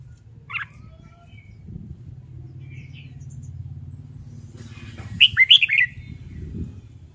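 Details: Red-whiskered bulbul sings during competitive-song training meant to get newly caught birds singing: one loud warbled phrase of rising and falling whistled notes near the end, after a faint earlier note, over a low steady hum.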